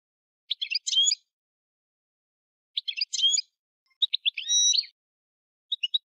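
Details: European goldfinch uttering short clusters of bright twittering and chirping notes, spaced by pauses, with one longer buzzy-edged phrase; nothing else audible.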